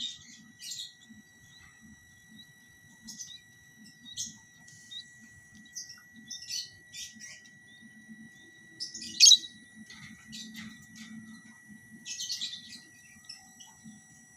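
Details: Lovebirds in a cage-beside-cage pairing setup; a long run of scattered sharp, high chirps and squeaky twitters, denser and louder around the middle and later, with a faint low hum and soft rustling.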